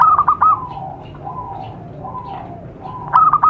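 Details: Lure recording of a zebra dove for attracting wild birds: a loud rolling phrase of trilled coos opens and closes the clip, with softer, drawn-out coos in the gap between.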